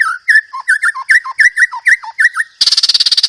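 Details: White-rumped shama song filled with 'gereja tarung' and rapid 'roll tembak' material: a fast series of clear whistled notes, many dipping downward, repeated about three per second, ending in a harsh, buzzy, rattling burst.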